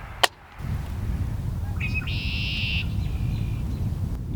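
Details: A red-winged blackbird singing from the top of an apple tree, with a pair of robins nearby, gives one song: a short note, then a harsh, buzzy trill lasting about a second, over a steady low rumble and a sharp click.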